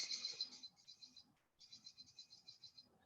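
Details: A flyover Lesser Goldfinch gives its chug-chug call, likened to a zebra finch: quick, high, buzzy notes, about three or four per second, in two bursts separated by a short pause.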